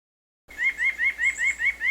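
White-breasted Nuthatch giving a quick series of nasal, slightly rising 'yank' notes, about five per second, with no other sounds.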